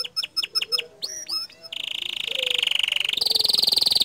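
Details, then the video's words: Bottle-green canary song meant to rile other canaries: quick separate chips and upswept notes, then a steady buzzing trill that jumps higher into a faster rattling roll. "Masteran Kicau Kenari Warna Hijau Botol Suara Tembakan nya Bikin Emosi Kenari Lain"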